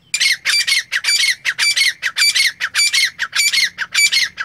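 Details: A francolin, in a recording presented as a hunting call, gives harsh, grating, loud high-pitched squawks in a rapid, uneven series of about a dozen notes over four seconds, with nothing else heard.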